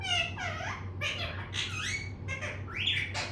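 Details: Pet parrot talking indoors in a small room: a rapid string of harsh, nasal, harmonic syllables that slide up and down, each burst under a second, run almost continuously with a steady low hum beneath.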